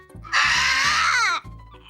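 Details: A captive macaw in Costa Rica, a hybrid of scarlet and blue-and-gold macaw, lets out a single loud, harsh, grating scream lasting about a second, pitch sliding down at the end, over a faint low hum.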